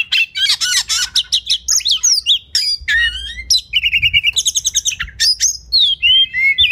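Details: Oriental magpie-robin singing master song for training competition birds: a dry buzzy rattle, then mixed whistles, a run of rapid evenly repeated chips and clear, upslurred and downslurred whistles.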